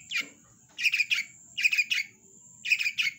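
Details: Long-tailed shrike in vigorous song, delivering quick groups of three sharp, harsh chirps roughly once a second, with a faint low hum in the background between phrases.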